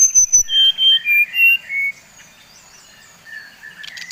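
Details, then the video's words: Bali-type brown-chested jungle flycatcher singing a lure song meant to excite rival birds: a string of pure whistles stepping downward over two seconds, then only faint, softer notes. "Suara SRDC Bali Paling di sukai srdc lain | Pancingan Srdc bikin srdc lain naik emosi"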